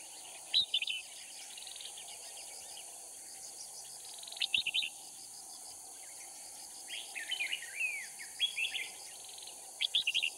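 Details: Red-whiskered bulbul serving as a Cao Phong decoy in a trapping contest in Kim Boi, Hoa Binh, Vietnam, repeating short bright warbled phrases of rapid slurred whistles every few seconds, over a continuous buzzing of crickets and insects.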